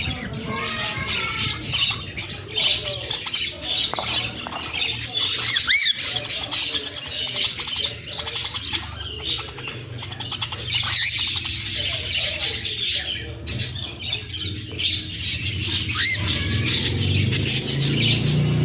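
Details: A cockatiel that is not in the mood gives harsh squawks and short rising chirps over rustling, flapping noise.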